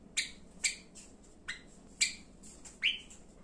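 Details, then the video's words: Pet Java sparrow calling: sharp chip notes, each a bright vertical burst with stacked overtones, repeated at uneven intervals about every half second, ending in a longer rising, slightly buzzy note. Quiet room background. "【文鳥／鳴き声メドレー⑩】さえずり、呼び鳴き、甘え鳴き かわいい鳴き声を集めました"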